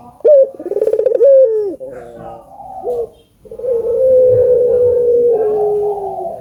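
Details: Vocal albino collared dove, played to get other doves calling: one rolling, pulsed coo ending in a falling slur, then a long steady hummed note lasting about two seconds.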